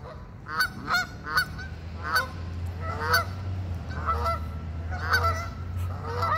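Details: Several geese at a park honking in short, nasal, harmonic bursts, clustered around the first second and again near three, four and five seconds, over a steady low rumble of background noise.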